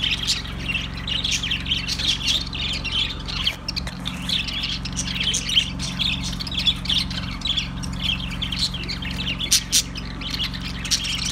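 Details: Budgies chattering in a long, even stream of squawks, chirps and warbles from several birds at once, with occasional sharp clicks and a constant low hum.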